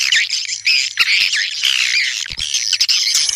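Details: Call used to lure swiftlets: a continuous, dense, high chattering twitter with wavering, rising and falling squeaky notes, and a faint low hum beneath.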